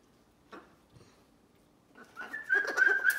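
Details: Pet macaw giving a friendly greeting: soft scattered clicks and short notes, then a loud, sustained whistled tone that wavers around one steady mid pitch through the last second, with brief noisy chatter layered over it.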